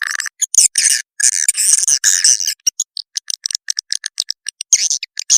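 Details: Swiftlet lure call of dense buzzy twittering bursts that break into quick separate clicking chirps, all high and sharp, with short gaps between phrases.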